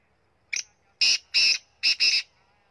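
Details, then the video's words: Punjab kala teetar, a black francolin, calling loudly: five rasping, buzzy notes in about two seconds, a quick first note, two drawn-out grating notes, a short gap, then a clipped note tied to a final longer one. No other sounds. "Punjab Kala Teetar Voice"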